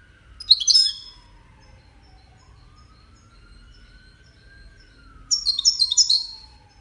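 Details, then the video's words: European goldfinch in a five-bird song contest gives two short bursts of high twittering chirps separated by a long gap, while a faint siren wails and slides up and down in the background. "مسابقة افضل تغاريد 5 حساسين ويدانية"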